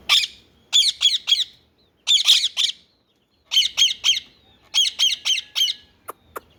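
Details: Indian ringneck parakeet giving loud, harsh screeches in quick bursts of three or four, each burst separated by about a second of silence, with no talking heard.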